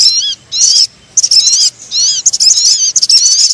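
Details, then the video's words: Lure call of a crimson sunbird meant to attract birds, heard as sharp high chirping phrases of quick rising and falling squeaks, several bursts broken by short pauses. "Suara Pikat Sogon Yang Susah Turun"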